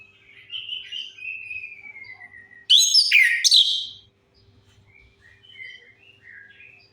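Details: Orange-headed thrush singing, played as a lure for birds that have stopped singing: soft, drawn-out falling whistles, then a sudden loud, rich burst of mixed harsh and whistled notes, fading back to faint scattered chirps.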